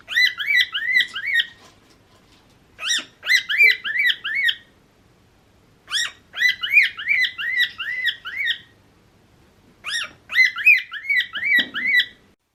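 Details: A cockatiel sings bursts of bright, arched whistles in quick phrases with short pauses. Singing is done mainly by males, to mark territory, attract a mate or get attention, often with wing-display posturing.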